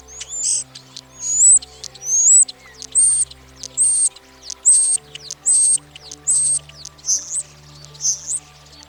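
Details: European Starling song used in mating season to impress partners: a clear, high whistled upslur repeated roughly every second about ten times, ending in lower, buzzier notes, with quiet sustained background music.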